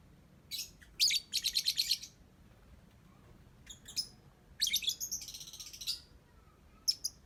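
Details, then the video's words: Lovebird singing its ngetik song: rapid typewriter-like runs of high, clicking notes, about eight per burst, in two long bursts separated by a pause, with a few single chirps. "Love Bird Cantik Pinter Ngetik"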